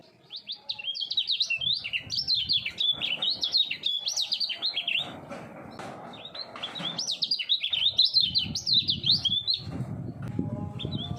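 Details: Caged common iora, three years old, singing at full speed with doubled voice as a contest bird: rapid run of whistled, slurred notes rising and falling, nearly continuous, with low rumbling handling noise in the background.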